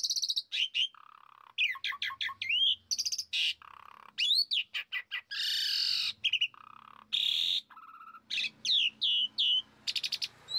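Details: Asian pied starling song used as a lure to make a kept bird sing hard: a dense, varied run of loud whistles, rising and falling slurs, buzzy bursts and rapid chattering notes with brief gaps throughout.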